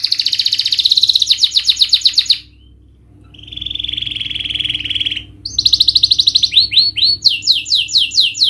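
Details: Canary lure song to get a reluctant bird singing: a fast rolling trill, a short silence, a buzzy rattle, then rapid repeated down-slurred whistles.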